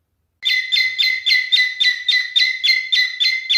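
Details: Male cockatiel in mating display giving a fast series of rhythmic, even chirping notes, about three to four per second, each with a strong steady tone and upper overtones.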